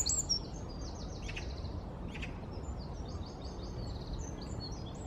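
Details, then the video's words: A Eurasian wren in London on 4 November 2019 sings a loud, rapid, high-pitched run of tinkling notes and trills, continuing over a steady low rumble of background noise. "КРАПИВНИК ГРОМКАЯ ПЕСНЯ גדרון Winter Wren"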